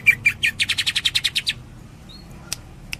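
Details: Rapid 'tembakan' volley from a greater green leafbird: about a dozen quick, bright chirps at an even pace, then near silence with one thin whistle and a couple of clicks.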